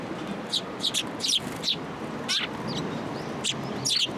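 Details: Sparrows at a shrine in November, coming to a bench to be fed, giving short sharp repeated chirps in quick irregular bursts over steady background noise.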